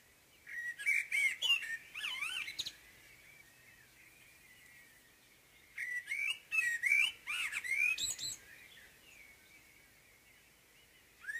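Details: Blackbird's morning song with two separate phrases several seconds apart, each a rich, rolling fluted warble ending in scratchy high twitters, with a pause of near silence between them.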